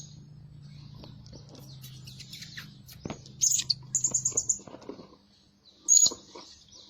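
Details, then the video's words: A Blue-crowned hanging parrot lure bird, described as calling day and night, utters a quick run of about six sharp high squeaks, then a single loud shrill call, after soft chattering and a low hum. "Denak Pemikat Burung Serindit Rajin Siang Malam Berbunyi"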